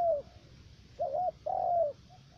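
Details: Decoy spotted dove on a trapping site in Khánh Hòa commune, U Minh, Cà Mau: a falling coo, then a short quavering note and a long sliding coo, followed by faint softer echoes.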